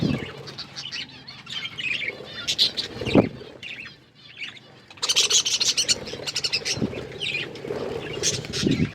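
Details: A group of budgerigars chirp while eating green food. Scattered chatter and dull knocking feeding sounds come first, then a louder, denser run of high chirps and chatter from about halfway on.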